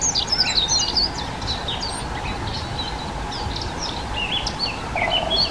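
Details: Dunnock giving scattered high, squeaky song phrases, brisk twittering bursts separated by brief gaps, with a faint steady hum and light background noise.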